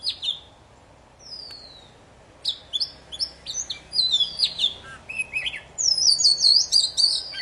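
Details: Poci song, energetic and non-stop, used to coax silent birds into singing again: high sweeping whistles and buzzy notes, rapid and irregular, beginning after a quiet pause, denser toward the end.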